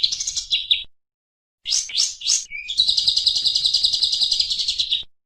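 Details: Oriental white-eye training song: high, rapid twittering phrases, a brief silence, then a few sweeping notes and a long sustained, buzzy, high chatter.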